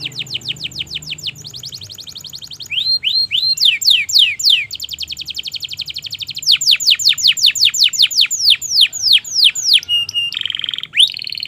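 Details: Canary in full, long continuous song, a tutor recording meant to get jammed and young canaries singing: shifting fast trills, a few rising slurred notes, rapid rolling phrases, then a short buzzy low phrase.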